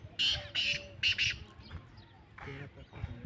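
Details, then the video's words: Black francolin of the pure Lakka nasal type, locally called Lakka kala teetar, giving harsh, grating bursts in a quick run of three or four notes, with faint human speech and low background noise afterwards. "Kala Teetar ki Awaz"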